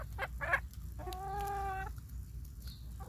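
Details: Chickens being given corn on a rainy day: two quick clucks, then a drawn-out, even, nasal note lasting nearly a second, followed by softer clucking against a low rumbling background.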